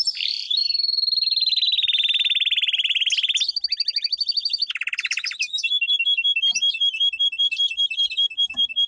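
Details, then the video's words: Domestic canary in powerful training song: long sustained rolling trills, a harsh buzzy tour, then quick repeated whistled notes in brisk succession. "Canary singing - 2 Canary 's most powerful song for training"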